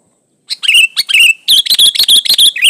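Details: Sooty-headed bulbul in lively full song, used to lure other bulbuls into singing; a fast run of bright, bubbly chirped notes with rising and falling whistled inflections, packed closely over two seconds.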